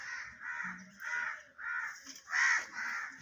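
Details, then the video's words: Parrot calling in a steady series of five or six harsh, raspy squawks, each about half a second long with short gaps, the fifth louder than the rest, over a faint background hiss. "Tota Boltay Huay Kesa Lag Raha Hai _Totay Ke Awaz"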